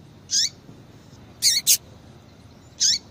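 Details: Female double-collared seedeater calling to excite a male: a single high note, then a close double note, then another single note, each bright and short, with gaps of quiet hiss.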